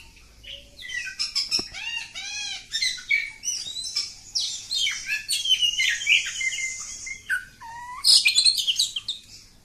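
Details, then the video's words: Kacer kampung, an oriental magpie-robin, singing a long nonstop 'ngacor' stream: arched whistled notes repeated rapidly, buzzy trills, clicks and piercing high phrases mixed in quick succession, loudest near the end. "Kacer Kampung. Super Ngacor panjang"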